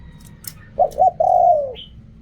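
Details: One spotted dove phrase in the khu kham style: two short low notes, then a sustained coo sliding gently downward. A thin higher chirp comes right after. Faint clicks before it.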